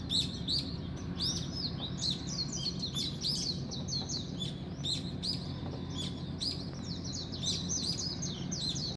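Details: Dawn chorus of several birds: overlapping high, quick chirps and tweets fill the whole stretch, over a faint low drone.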